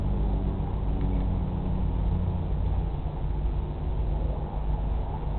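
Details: Steady low rumbling noise, like wind or an engine, fills the whole recording, with no animal calls heard.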